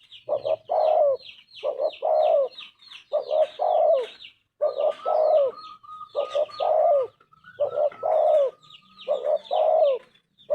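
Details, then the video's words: Spotted dove (tekukur) cooing repeatedly: paired short notes leading into a longer downward-bending coo, eight phrases in a row, with twittering songbirds and a thin steady whistle behind. "Tekukur gacor suara emas"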